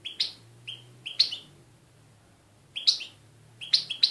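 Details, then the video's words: European goldfinch singing in Voronezh, Russia: short bright twittering notes and sharp chirps given in small clusters with pauses between, over a faint low hum. "Щегол. Красивое пение щегла"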